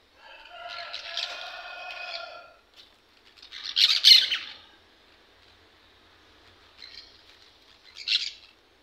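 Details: Captive green parakeets being fed. A drawn-out, nasal, harmonic call opens, then one loud rasping squawk follows, and shorter harsh squawks come after a quieter stretch.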